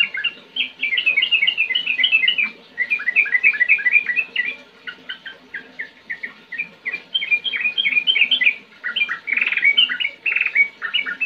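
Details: A sooty-headed bulbul (trucukan) pouring out a lively, rolling chatter of crisp, high notes, delivered in bursts broken by short gaps, ending in denser, slightly harsher phrases, with a soft low background.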